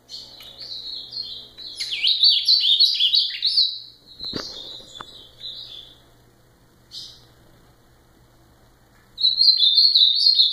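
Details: Azulão, the ultramarine grosbeak, delivers a rapid run of slurred, wavering whistled notes, then a lone short note and, after a silent gap, a fresh burst of song; a faint low hum underlies it.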